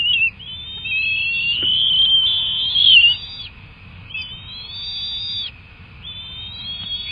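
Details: At a bald eagle nest with two young during feeding, long, thin whistled calls hold steady or rise slightly, repeated in drawn-out phrases with short gaps.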